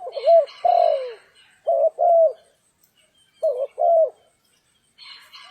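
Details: Spotted dove cooing while being trapped on a stormy, rainy day: low paired coos, a short hooked note then a longer falling one, repeated in three phrases, with brief higher noisy bursts.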